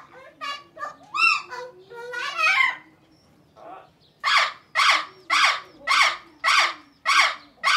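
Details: Parrot chattering in mixed rising notes, then a run of eight loud, harsh squawks at about two per second, evenly spaced, in a small room.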